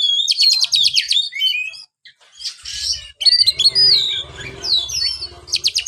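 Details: Oriental magpie-robin song offered to stir a kept bird that is reluctant to sing: rapid buzzy trill bursts, then rising and falling whistled slurs and mimic-like phrases after a short pause, over a low mechanical hum.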